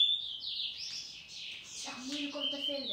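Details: A picolet seedeater, recorded in 2018, sings a fast, unbroken run of high twittering and sliding notes, with a low humming tone joining toward the end.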